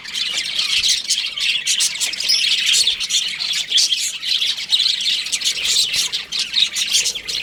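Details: ['Young budgies kept in an aviary produce a steady wall of rapid, high-pitched twittering and scratchy chirps from many birds at once.']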